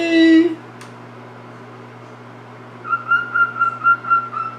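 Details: A pet male cockatiel sings his own little song to his owner, whistling a clear, steady-pitched tune in short repeated phrases after a brief low voice-like sound.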